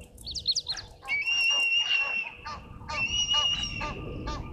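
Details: A juvenile martial eagle perched in a tree at Djuma Game Reserve, Sabi Sand, South Africa, gives drawn-out, thin, high screaming whistles at a steady pitch after a few quick rising chirps; soft low background rumble.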